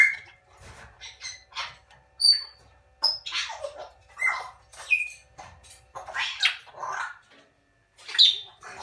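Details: Captive young salmon-crested cockatoo chicks, recorded during their growth from egg to one month old, give harsh, rasping squawks in short bursts about every second, some rising, some falling, with brief quiet gaps between calls.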